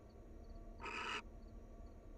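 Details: A single broad, rasping hiss of about half a second from a wild barn owl pair sharing affection at the nest, amid quiet background.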